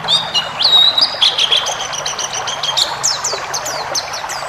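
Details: Pleci ngalas white-eye song with varied phrases for training caged birds: a long wavering whistle opening, then a steady series of sharp downslurred high notes repeated quickly, over faint background noise.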